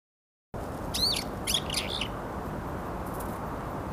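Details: Several varied tits appear and compete with one another, late January 2021 (24–30 Jan), giving a few quick, high chirps in a brief burst of about a second over a steady hiss of wind or rustling.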